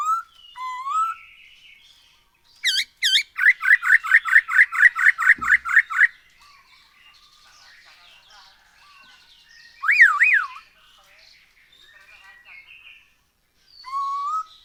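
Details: Black-throated laughingthrush song, played as a lure to make birds sing more: loud whistles open into a fast, even series of about a dozen sharp notes, then softer chatter, two wavering whistles and a final low whistle.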